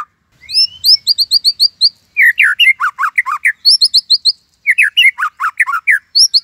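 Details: Caged white-rumped shama (murai batu) singing imitated phrases. Quick high, sharp chip series alternate with dense bursts of falling, buzzy notes in a busy, fast delivery.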